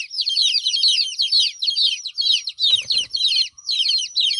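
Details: Crying chicks whose mother hen is absent: crowded, high, sliding peeps in quick pulsing bursts about twice a second, interrupted by a short rattling knock midway.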